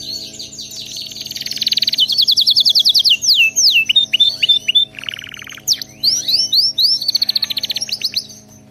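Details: Canary singing, a recording meant to train pet canaries to sing nonstop: loud, fast rolling trills, rapid repeated sweeping whistles and buzzy rattles, phrases changing every second or so, with a steady low electrical hum beneath.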